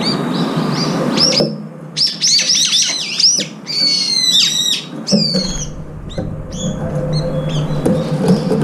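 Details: Many brown-eared bulbuls feeding together in food competition. Dense overlapping shrill squeals and harsh downslurred calls pile up in bursts, separated by brief pauses, over a humming background.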